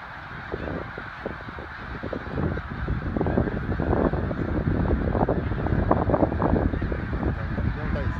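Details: A large flock of snow geese at Middle Creek, Pennsylvania, late morning on 24 February 2024, giving loud, rapid overlapping honks that build in volume over a constant background roar of countless calling birds.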